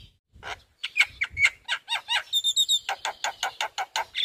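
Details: Daytime Javan myna in front of a house running through its repertoire: dry rasping notes build into a steady series of rapid chattering pulses, about four per second, topped briefly by thin high whistles.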